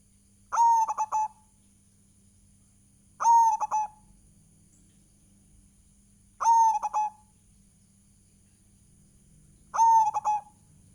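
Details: Zebra dove of a local Indonesian line singing steadily as a lure for other doves: four identical phrases about three seconds apart, each a drawn coo ending in three rapid clipped notes, over a low hum.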